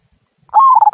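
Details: Zebra dove of a local strain sings the "kung" style meant to draw other birds into song, a single clear phrase of a sustained mid-pitched coo followed by a quick fluttering trill, ending sharply.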